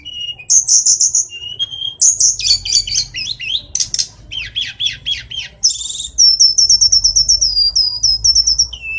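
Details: Rich, continuous tledekan gunung song of buzzy high phrases, bouncing repeated notes, and a closing rapid series of clear, evenly spaced whistled chirps, with a soft low rumble.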